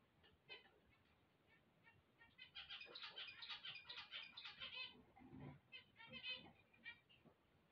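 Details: Zebra finches at waking time: a few isolated nasal beeps build into a burst of buzzy, chattering song from several birds, then fade back to scattered calls with some soft rustling.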